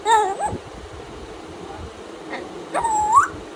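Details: A tame African grey parrot greeting the morning with playful mimicry: two short whistled calls, the first wavering and falling, the second a level tone that rises sharply at the end, in a quiet indoor room.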